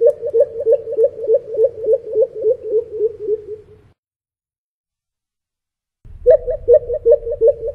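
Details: An elusive, noisy pheasant coucal that calls constantly from 4am until well after dark gives a long run of deep, hollow hoots, about three a second, sinking slightly in pitch, then pauses and starts a fresh series.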